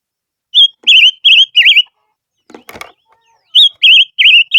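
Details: Silver-eared mesia lure song: four looping whistled notes, a brief rattle of rustling noise, then four more wavy whistles in the same pattern.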